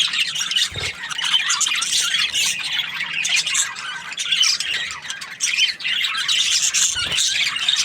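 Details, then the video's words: Cheerful budgie chatter, an unbroken stream of buzzy, squeaky chirps and warbles with a few sharper squawks and one short lull. "Happy Budgie chirping sounds"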